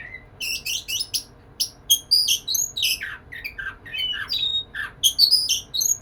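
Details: Male-style courting song of a white-rumped shama directed at a female: rapid, varied phrases of sharp chips, whistles and slurred descending notes, tumbling continuously over six seconds.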